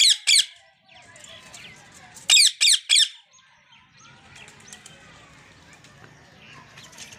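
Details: A rose-ringed parakeet (Psittacula krameri) gives loud, shrill screeches, a pair and then a quick run of three, while faint twittering of other birds fills the background.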